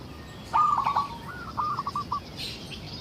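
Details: A frequently singing local zebra dove, used to draw other zebra doves into song. A single phrase begins with bright clipped coos and ends in a softer rolling trill. Steady hiss sounds in the background.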